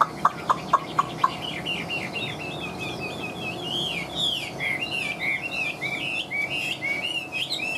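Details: Chinese Hwamei, caged for over two years, singing well: a few sharp clicks, then a continuous rich warble of quick whistled notes that rise and fall in rapid, slightly varied phrases, with faint room noise.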